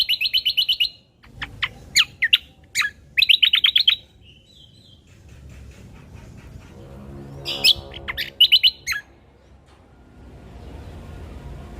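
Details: Ruby-throated bulbul song on a lure and tutor track: bursts of rapid high chirps and short note runs in the first four seconds, a long quiet stretch with a soft hum, then one more brief chirped burst.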